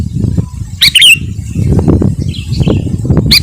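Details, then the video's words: Sooty-headed bulbul in lively gacor song meant to draw in wild birds and provoke rivals: one loud bubbly phrase, a faint softer one, then another starting at the end, with heavy low rumble throughout. "suara kutilang gacor 💯 dapat memancing emosi lawan si burung⁉️Pycnonotus aurigaster"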